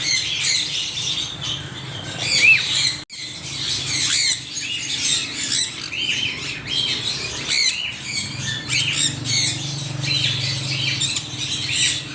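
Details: A crowd of parrots squawking nonstop, rapid harsh and slightly whistled notes overlapping densely, with a momentary dropout early on and a low hum beneath.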